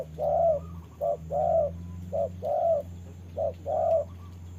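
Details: Spotted dove acting as a trapping decoy, sparring with a wild bird during rain; repeated hollow coos in short-then-long pairs at a steady pace, over a continuous low hum.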